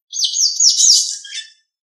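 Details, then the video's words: Master training recording of a Nias hill myna: one loud, high, wavering whistled phrase with quick rising and falling bends, about one and a half seconds long, ending in a lower trailing note. "Masteran Suara Jalak Nias"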